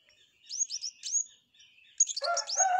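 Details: Flowerpecker singing with canary-style song: a few quick rising high whistled notes, a soft pause, then dense high chirps mixed with lower harsher notes at the end.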